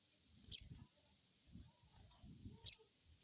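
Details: Crested jay crecet call used as a lure to stimulate an untrained bird to answer: two short, sharp, high clicking bursts about two seconds apart, with soft low rumbling between them.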